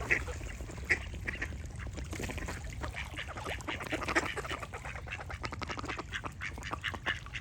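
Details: Flock of ducks making scattered harsh quacks, a few louder ones early on, over continuous low-pitched rumble and soft chatter.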